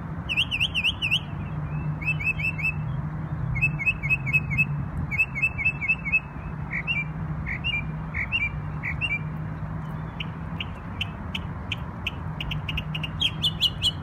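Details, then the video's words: New York bird singing on Memorial Day, switching phrases: a wavering whistled trill, short groups of hooked chirps, scattered slurred notes, then fast clicking rattles and buzzy notes, over a steady low hum. "NY Bird Sings Beautiful Songs on Memorial Day"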